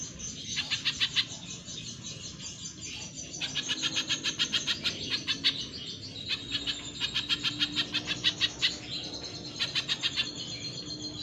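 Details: Caged spiderhunter used as a training master, delivering fast, sharp, high-pitched trills in repeated bursts of about a second each, separated by short pauses, against faint background hum.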